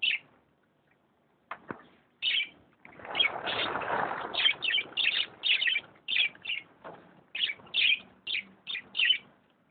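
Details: Canaries recorded in Misiones: a series of short bright chirped phrases, repeated in quick bursts roughly every half second, with a stretch of rustling or flapping noise near the start.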